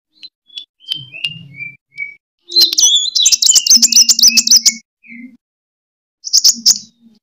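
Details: Sunbird fighting song, used as a lure to train other birds: separate clear whistled notes at first, then a rapid, scratchy burst of high trills and twitters, a short pause and one more brisk trill, with a faint low hum beneath.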